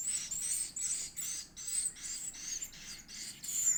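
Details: Edible-nest swiftlet chick being fed, begging with loud, hissy, very high squeaks pulsing steadily about twice a second without pause.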